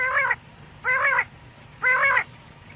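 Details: Quail (batair) calling for use at night: three harsh, nasal, grating notes, each about a third of a second long and spaced about one second apart, over a quiet background.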